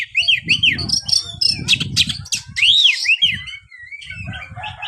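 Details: Oriental magpie-robin song meant to make a lazy kept bird sing: loud arched whistles repeated in pairs, mixed with sharp chirps, over a constant low rumbling background.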